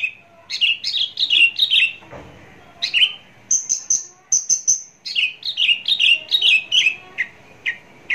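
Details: Javan bush lark recorded close up, singing a fast varied song of chirped, slurred notes in quick runs, with a burst of high thin repeated notes in the middle and short pauses between phrases.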